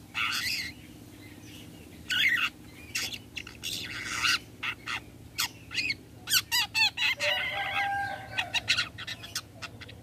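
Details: A Long-tailed Shrike, used as a lure to make other shrikes answer, gives harsh, scratchy bursts and quick clipped notes, then a run of short rising whistles and a brief level whistle.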